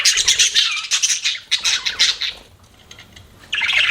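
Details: Budgerigars chirping: dense bursts of harsh, buzzy high chatter in quick runs, a quiet gap near the end before chattering resumes.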